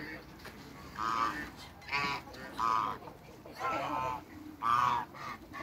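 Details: Two giant African geese in a backyard, with five moderately loud nasal honks spaced roughly a second apart over a low, quiet background.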